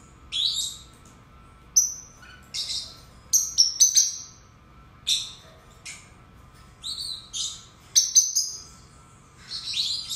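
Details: Two pet lovebirds, kept together, giving high shrill chirps and harsh squeaky bursts in irregular clusters, some notes rapidly repeated, with quiet pauses between; a faint steady hum lies underneath.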